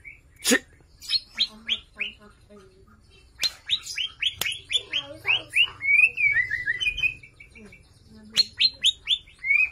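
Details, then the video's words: Energetic Borneo white-rumped shama song with a varied repertoire: sharp clicks and rapid sequences of bright descending whistles, broken by a brief fluty rising and falling phrase, then more quick whistled series. "MURAI BATU BORNEO/MURAI GEMBUNG GACOR ISIAN MEWAH,COCOK BUAT PANCINGAN MURAI MACET"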